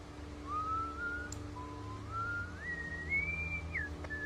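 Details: European starling giving a long whistled phrase: smooth level notes stepping upward in pitch over several seconds, ending with a short drop, against a low steady hum.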